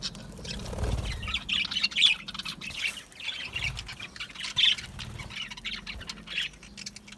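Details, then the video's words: Budgies, small Australian parrots in an aviary, giving scratchy chirps and squawking chatter in irregular bursts, with occasional low rumbles and a faint steady hum behind. "Budgie chirping sounds"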